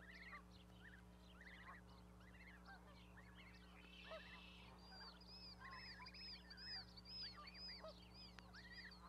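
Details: Goose parent and small goslings on an osprey nesting platform in Charlo, Montana, on May 12, 2020; rapid bursts of hooked, nasal calls come about twice a second, mixed with high songbird notes and a constant hum.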